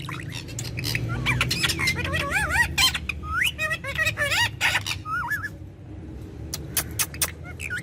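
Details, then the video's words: A ringneck parrot chatters in a courtyard in Urdu/Hindi. Dense, wavering, warbling phrases come in quick succession for about five seconds, mixed with sharp clicks, then trail off into a few scattered notes. "Ringneck Parrot Talking In The Courtyard"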